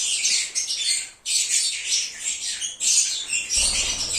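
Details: Lovebirds chirping, used to lure an escaped bird back: three loud bursts of harsh, high-pitched squeaky chatter with short gaps, a soft low thud near the end.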